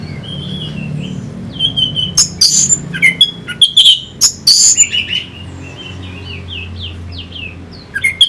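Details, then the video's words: An orange-headed thrush delivers a sharp, chattering run of harsh broadband notes between sweet falling whistles, then a soft twittering series. It is a lure song for stirring fighter birds, with a faint low hum behind it. "Pancingan SUara ANIS MERAH Pembangkit Figther Burung"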